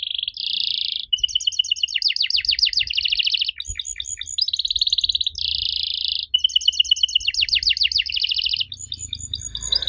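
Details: Lure song of a canary meant to make young canaries reply. Rattling buzzy trills alternate with runs of rapid falling sweeps and high pulsed notes, and the sequence cycles twice.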